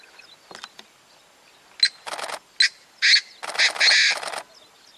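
A painted francolin gives harsh, grating, ratchet-like bursts that build into a longer, louder rasping phrase near the end, with a quiet natural background.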